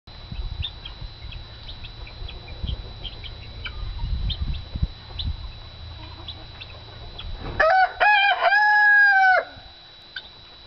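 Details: Ameraucana rooster crowing once near the end: a loud, harmonic, slightly rising then level call lasting about two seconds, preceded by scattered faint clucks and chirps over low rumbling background noise.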